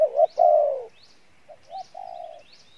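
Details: Pha Bài Lối style cooing from a spotted dove. A loud wavering coo that swells into a long falling note, then softer short coos. Thin rising chirps of other small birds sound behind.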